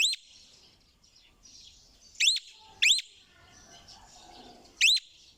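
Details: Four strident upward-sliding squawks from a parrot, two close together mid-clip, with soft chirping from other birds filling the gaps.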